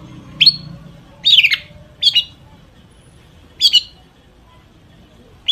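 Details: Long-tailed shrike, part of a lure song full of mimicked fill-ins to stir other shrikes: four rasping, buzzy falling notes at uneven intervals, separated by near silence.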